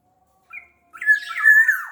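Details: Sumbawa black-naped oriole, a large-bodied local form: a brief whistled note, then a loud harsh, nasal phrase with a rising then steady whistled tone that falls at the end.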